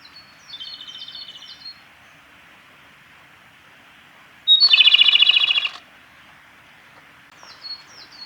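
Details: Song of a male Japanese robin recorded at Yanagisawa Pass, 28 April 2019: one loud burst that opens with a piercing note and runs into a rapid, metallic trill, while other birds give soft, thin, repeated whistles before and after.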